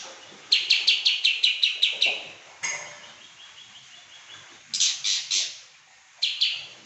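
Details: Rapid Pekin robin song: a rattling series of about nine crisp, evenly spaced high chirps, a quieter descending twitter, then two more short bursts of bright ringing notes.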